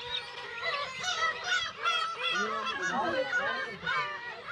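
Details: A crowded Black-tailed gull breeding colony on Kabushima island, Hachinohe, Japan, in June with chicks; many birds overlap in wavering, cat-like mewing and honking cries, with a few lower drawn-out wails.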